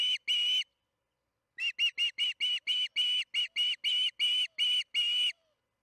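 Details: Evening feeding at the Charlo osprey nest, June 21, 2019, 8:15 pm MDT: two loud whistled chirps, a second's pause, then a quick string of about thirteen more piercing notes.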